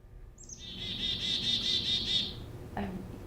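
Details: Black-capped chickadee (Poecile atricapillus), chick-a-dee call.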